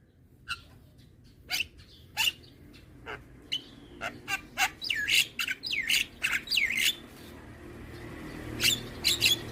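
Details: Young white-eyed Javan myna bobbing its head as it calls to lure hybrid mynas; sparse sharp clicks at first, then a faster cluster of looping whistles and squawks midway, quieter chirps at the end.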